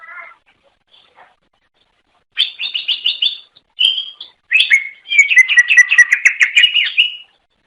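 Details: Greater green leafbird singing to draw in others of its kind: a quick rattled trill, a clear whistled note, then a long, fast series of repeated chirping notes.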